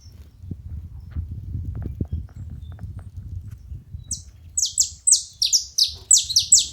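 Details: Saffron finch at a feeding station: several seconds of low rumbling handling noise, then a burst of high, sharply descending chirps in quick succession closing the stretch.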